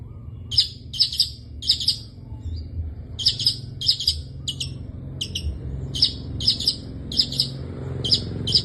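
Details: Long-tailed shrike singing actively in full 'isian' style. Harsh doubled chirps repeat in short clusters with brief pauses, over a low background rumble.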